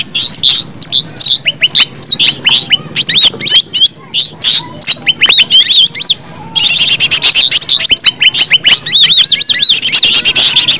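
A green leafbird pours out a rapid, varied song of sharp whistled swoops and chips, high-pitched and almost unbroken, growing denser and buzzier toward the end.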